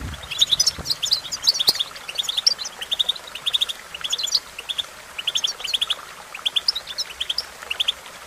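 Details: European goldfinch singing, as a training track to get a goldfinch to sing: bright, rapid twittering phrases of sharp high chirps in bursts of about a second, with brief gaps.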